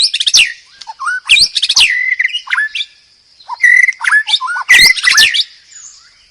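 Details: White-rumped shama giving a powerful varied song: sweeping whistles, downward slurs and harsh clicking bursts in separate phrases, with a thin steady high tone in the background.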